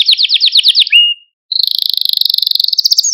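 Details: Male Maltese canary song for stimulating other canaries: quick down-slurred notes, a short silence, then a rapid high pulsing trill.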